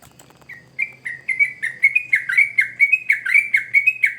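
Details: Lively sooty-headed bulbul song used to lure young birds. After a quiet start, liquid slurred whistles roll out in a steady, quickening series of about fifteen notes, with a faint low hum beneath.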